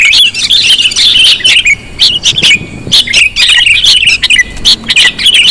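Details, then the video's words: Lure recording of sooty-headed bulbul to attract birds, with clear chattering phrases of sharp chirps and rolling, bubbly notes coming in clusters with short silences between them. "Suara pikat kutilang sangat sensitif"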